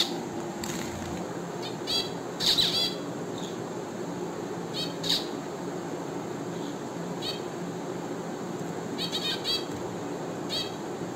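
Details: Finch calls: brief nasal chirps scattered through the recording, some doubled, with loose bursts toward the end over constant background hum.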